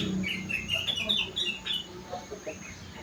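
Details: Kutilang, the sooty-headed bulbul, singing an isian of rengganis and cucak wilis: bright, fast chirping phrases of short sliding whistles packed closely together, then fading into softer scattered notes over faint background hiss.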